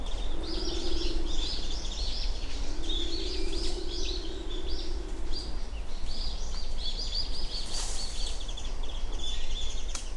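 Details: Japanese wood pigeon calling on Uwashima, Kaminoseki, Japan, at 7 a.m. on 29 January 2024: two low, drawn-out moaning hoots, the second longer, under a busy chorus of high chirping small birds and steady low background rumble.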